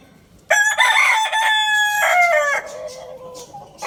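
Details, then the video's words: Rooster, possibly a Lohmann Brown, at a bird market in Lalukhet, crowing loudly: one long harmonic crow of about two seconds with a brief stepped break near the end, then a fainter trailing note. "Rooster Crowing Compilation | Rooster Crowing Sound Effect"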